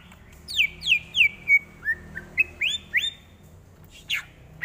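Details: Greater green leafbird song as a training tutor: a series of loud down-slurred whistles followed by shorter rising whistled notes, roughly three per second, over low background hum.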